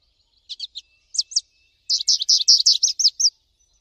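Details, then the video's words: American goldfinch in nature giving several quick paired high notes, then a dense, rapid burst of bright twittering notes that stops abruptly; a quiet background otherwise. "PITASSILGO AMERICANO CANTANDO MUITO NA NATUREZA - CANTO DO PINTASSILGO AMERICANO"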